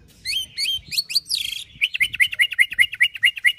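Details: White-rumped shama fighter song, with high slurred whistles and a short harsh buzz, then a steady run of quick, evenly repeated sharp chirping notes about six per second.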